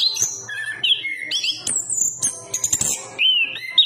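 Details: Anis kembang song with clear sliding whistles, a long high sustained note near the middle, then quick sharp notes and falling slurs toward the end.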